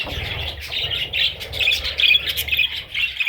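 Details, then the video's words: Baby parrots giving a steady stream of high, raspy, overlapping chirps and squawks, busy and unbroken, with a faint low rumble underneath. "Parrot little babies"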